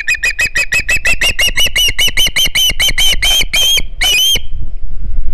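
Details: Begging juvenile Osprey, Hog Island, September 2019, as a fish is delivered: an insistent string of sharp, ringing whistles, fifteen or more in four seconds, ending in one longer drawn-out squeal.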